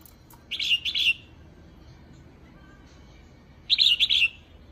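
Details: Calling female red-whiskered bulbul, a call used to excite males: a lively three-part chattering phrase of warbled notes, silence, then a similar rapid burst of slurred whistles.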